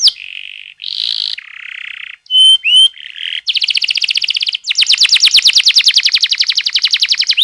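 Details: Canary singing, used as a lure to prompt other canaries to sing: sustained buzzy rolls at changing pitches, a few sharp upslurred whistles, then long fast rattling trills of rapid high notes.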